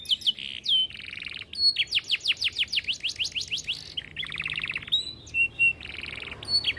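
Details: Canary (kenari) training song in the cengkok mewah style, mixing short high whistles, buzzy mid-pitched rattles and a run of rapid descending sweeps, with brief pauses between phrases.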